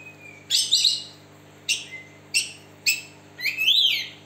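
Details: A split-beaked West Java Oriental magpie-robin with its tail spread, sung as a lure for birds that will not sing: sharp, buzzy chirps in short bursts, then a swooping whistle, against a faint electrical hum indoors.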